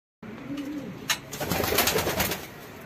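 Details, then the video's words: Pigeons during mating, a short low coo early on followed by a burst of broadband rustling and flapping noise, indoors. "Pigeon Mating"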